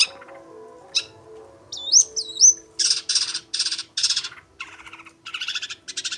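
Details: Long-tailed shrike singing actively, with varied material: a harsh note, two looping whistled slurs, then a run of loud buzzy, scratchy bursts and rattling chatter in quick succession.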